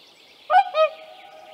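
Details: Whooper swan with young in Tāši, Latvia, 15 May 2024: a single double trumpeting call, a nasal bugle note quickly followed by a lower, softer second note, over a faint background hum with distant small birdsong.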